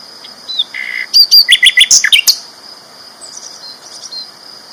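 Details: Loud song of a sikatan londo flycatcher, a champion bird: a short buzzy note, then a fast even series of about eight strong chirps, followed by quiet soft twitters against a steady high hum.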